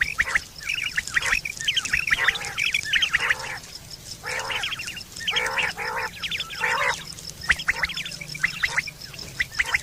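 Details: Quail give harsh, buzzy chattering calls in quick overlapping bursts, about one a second, over a faint steady high whine; recorded September 2023 and used as a calling sound for hunting and mating.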